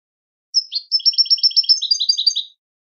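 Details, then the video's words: European goldfinch song: a bright opening note followed by a rapid, rhythmic series of tinkling twitters and chirrups lasting about two seconds, clean recording. "Melodic Marvels: The Captivating Songs of European Goldfinches"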